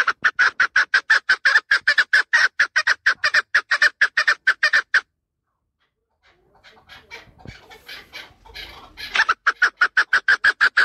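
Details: Chukar partridge calling in a fast, steady run of loud, dry chuck notes, about four per second, stopping for several seconds of faint rustling and then resuming at the same pace.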